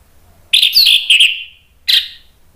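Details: Orange-headed thrush in agitated song, used to stir other birds to sing: a quick cluster of shrill, ringing whistles and chirps, a short gap, then one more piercing burst.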